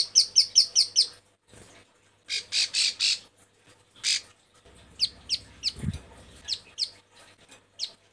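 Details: Female bar-winged prinia in breeding condition calling males: a quick burst of high chips, then harsh buzzy rasps, followed by scattered thin downslurred notes, with a low hum underneath.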